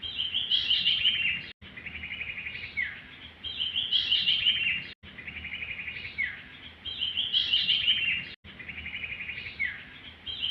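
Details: Sirtu song in repeated cycles roughly every three and a half seconds. Each cycle pairs a high, rattling, beaded trill with a lower buzzy trill ending in a quick dropping note, separated by sudden silent cuts. Faint hiss underneath.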